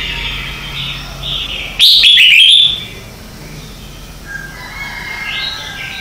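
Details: Red-whiskered bulbul singing in the morning for song training: soft warbled notes, a loud bright rapid burst near two seconds, then quieter rising whistles toward the end.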